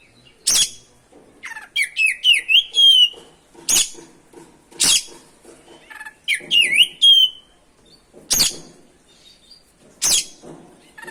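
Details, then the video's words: Gacor ngerol song of an oriental magpie-robin, meant to rouse other magpie-robins: loud harsh rasping bursts repeated every second or two, mixed with rising, wavering whistled phrases; faint background chatter. "PANCINGAN SUARA BURUNG KACER GACOR NGEROL BIKIN KACER LANGSUNG EMOSI‼️"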